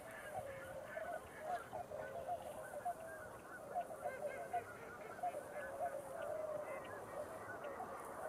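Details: A flock of snow geese dropping in at night on 24 November, giving a steady stream of high nasal honks, with louder individual calls standing out roughly every second above the crowd.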